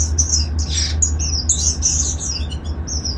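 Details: Golden finches in a garden aviary colony give thin, drawn-out high whistled notes and quick tweets, one after another, over a low humming background.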